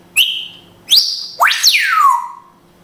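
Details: Pet grey parrot in Israel, speaking Hebrew: three clear whistles in sequence, two level high notes with rising starts, then a swooping note that shoots up and glides steadily down.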